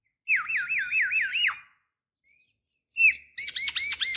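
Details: Female Javan myna calling for a male, used as a lure: a rolling series of about six wavy whistled notes rising and falling, a pause, then a sharp note and a quicker run of looping whistles.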